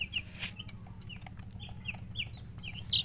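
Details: Freshly hatched chicks calling, separate bright high chirps spaced irregularly, one louder peep near the end, over a low steady hum.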